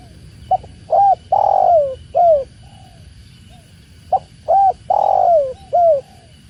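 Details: Spotted dove, called tekukur, cooing in two repeated phrases: clipped first note, short coo, long falling coo, short coo and a soft trailing note, with a quiet gap between phrases.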